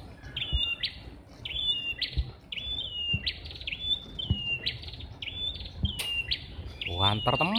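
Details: Red-headed prinia, apparently two birds, singing loudly and moving nimbly in a jackfruit tree: a string of short, clear whistled phrases, each a sharp note then a falling slur, repeated roughly once per second, with a harsh burst near the end.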